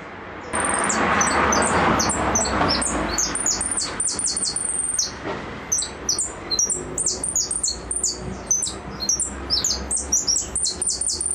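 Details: Goldfinch singing in the repique style. Rapid high notes, each sliding downward, come about twice a second over a loud broad rushing noise that fills the first half, then continue more cleanly.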